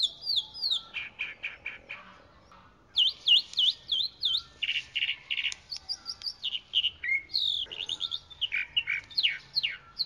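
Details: Chalk-browed mockingbird song: a long varied sequence of phrases, each note type repeated several times in quick runs, including rising and falling slurred whistles and buzzy notes, over faint background hiss.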